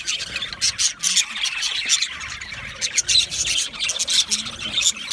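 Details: Budgerigars chirping and singing, meant to comfort lonely pet budgies; a rapid, scratchy warble of high chirps and squawky notes in bursts, several birds overlapping.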